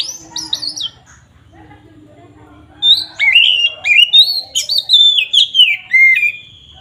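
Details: Oriental magpie-robin song for provoking rivals: a few high notes fade into a quiet hum, then a rich burst of rapid whistled phrases that rise and fall, closing on a drawn-out falling whistle.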